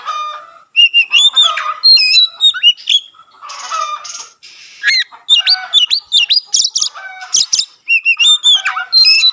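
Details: Oriental magpie-robin singing persistently with its tail fanned, a song said to prompt other magpie-robins to sing; dense runs of loud whistles, quick slurred notes and harsh bursts with only short breaks.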